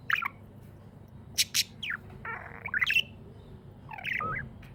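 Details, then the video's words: Happy pet budgerigar giving a few scattered chirps and a short buzzy rasp, among hissy bursts and clicks, over a low hum. "Happy budgie chirping sounds"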